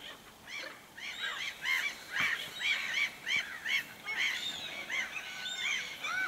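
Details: Common ravens in the wilderness of Suomussalmi, Finland, heard from a bear-watching hide in the evening or night: rapid runs of short, arched, croaking calls, roughly two per second, from several birds.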